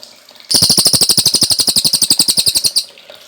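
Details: Energetic Cililin trill, recorded to train caged birds, with quick high notes repeated steadily for over two seconds before fading.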